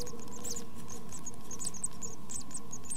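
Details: Nestling tits, under two weeks old, in a nest box: rapid, overlapping, high-pitched squeaks with a continuous droning hum in the background.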